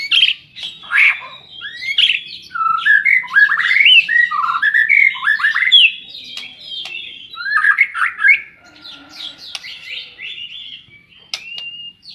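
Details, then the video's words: Loud, rapid song from a murai batu (white-rumped shama) fighter bird in Indonesia: continuous tumbling rising and falling whistles, chirps and rattling notes for about twelve seconds, tapering into scattered high notes. "BURUNG SULTAN FIGTER"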